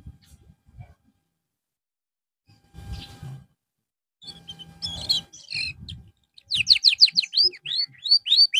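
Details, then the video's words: Canary in therapy after a drop in singing form. Quiet stretches with faint rustles and scattered chips lead into a rapid string of high, curved whistled syllables repeated several times a second at the end. "TERAPI BURUNG KENARI SETELAH AMBROL"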